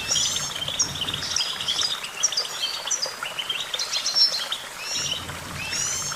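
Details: Goldfinch singing a fast tinkling twitter of bright chirps and brief buzzy notes, delivered in bursts with short pauses, over a soft low rumble.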